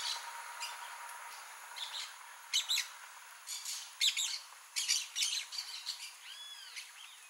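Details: Blaze-winged parakeet calling: harsh, scratchy, high chattering bursts in irregular clusters, with a thin rising-and-falling whistle from another bird near the end and steady high background hiss.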